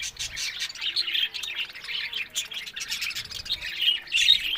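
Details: Pet budgerigars chattering together, a dense continuous warbling of squawks, chirps and short tweets with no clear pauses, several birds overlapping throughout.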